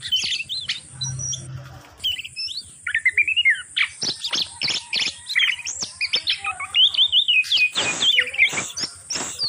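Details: Oriental magpie-robin mating call meant to bring other birds into breeding condition: rapid series of sharp chirps, whistled slurs and harsh clicks, many short notes in quick succession, loud and high, with a brief low hum early on.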